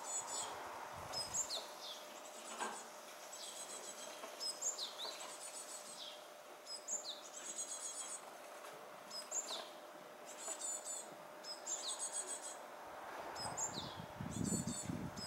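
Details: Japanese tit near fledging time, apparently hesitant: a long series of short, high, sharp call notes with brief buzzy tails, repeated roughly every second or so, over steady hiss and a faint low hum, with low rustling near the end.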